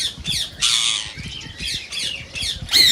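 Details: Green rose-ringed parakeet calls, said to stimulate mating in listening parakeets: scratchy descending squawks at short intervals, interrupted by a dense rasping burst, closing on a loud sliding screech.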